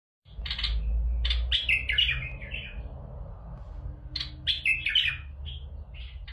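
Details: Bulbul song played to stimulate other bulbuls to sing: bright, varied chirps and short warbled phrases in two bursts, with a low hum underneath.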